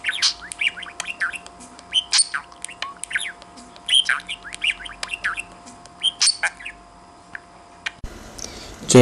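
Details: Hand-raised pet budgerigar, a talking bird, interacting with its owner indoors: rapid chattering chirps, squawks and warbled mimicry-like phrases in quick bursts, with a steady faint hum behind.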